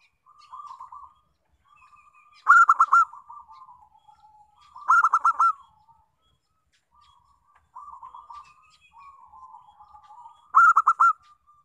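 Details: Local zebra dove song, a lure recording to prompt other doves to sing. Three loud bursts of four or five clipped, ringing coo notes, about every two to five seconds. Softer rolling, trilled cooing runs between the bursts.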